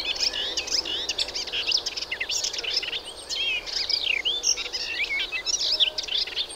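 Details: Melodious warbler in full song: a hurried, continuous babble of varied twittering, scratchy and whistled notes, high-pitched and jumbled, running without pause.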